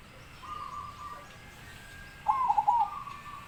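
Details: Big-voiced zebra dove delivering one rippling cooed phrase, a short series of looped notes run together, preceded by a faint steady tone and continuous low background noise.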